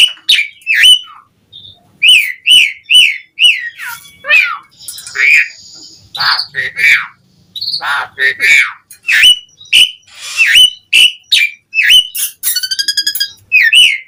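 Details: Asian pied starling in full song with varied phrases, mixing rapid downslurred whistles, harsh rasps and buzzy rattles in a long, busy, chattering sequence with scarcely a break.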